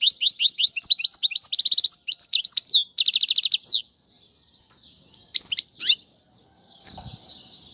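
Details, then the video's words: European goldfinch song used to teach fledglings. Quick chirping notes lead into dense buzzing trills for about four seconds, then fade to a few scattered high chips and soft hiss. "أفضل تغريد الحسون"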